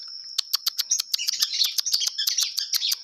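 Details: Long-tailed shrike singing clearly: a dense, fast series of high, sharp chattering notes over a steady thin whistled tone, growing busier and richer through the phrase.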